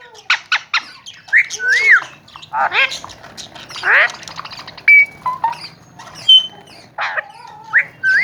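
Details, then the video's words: Several tame, talking Alexandrine parakeets kept in Pakistan, described as healthy and active, give harsh squawks mixed with short rising and falling whistles in uneven bursts, some loud and some soft. "Talking and tame alexander kashmiri raw parrots"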